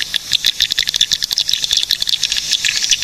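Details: Swiftlets from Cilacap, Central Java, Indonesia, in a recording meant for luring and tutoring birds: rapid dry rattling clicks, about ten per second, mixed with thin high chirps.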